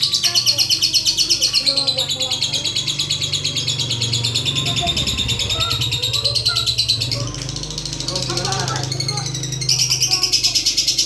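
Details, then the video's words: Lovebird in long, continuous high chattering, the fast ticking used to prompt extended song. Buzzy rattles pulse about three times a second, with faint lower chirps and a background hum. "LOVEBIRD ngetik,pancingan untuk ngekek panjang"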